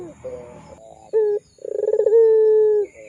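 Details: Lure cooing of a puter pelung, the Barbary dove, meant for young birds to learn: a short clipped coo, then a fast pulsing trill that smooths into a long sustained low hoot lasting over a second.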